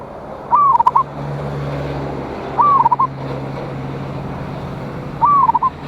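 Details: Zebra dove, local Indonesian strain with a loud voice, calling rivals, 26/1/25: three stuttered coo phrases spaced about two and a half seconds, against a constant rumbling, wind-like background.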